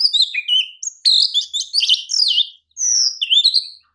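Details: Kacer, the Oriental magpie-robin, in champion form as a master song: a continuous, richly varied stream of sliding whistles, twisting notes and clipped chirps, pausing briefly before a last rising-and-falling whistled phrase.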